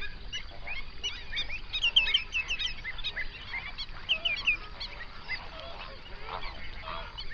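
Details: Flamingo flock on a national park lake in the Overberg, South Africa, captured with binaural microphones near sunrise; sharp goose-like honks rise out of a busy background babble, with loud bursts near two and four seconds.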